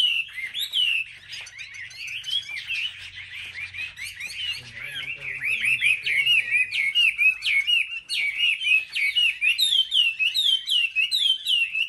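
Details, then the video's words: Caged Chinese hwameis singing competitively at a market rack: a soft warbled start that builds into loud, rapid series of rising and falling whistled notes, about two per second, with a faint low hum. "Họa mi hót đấu"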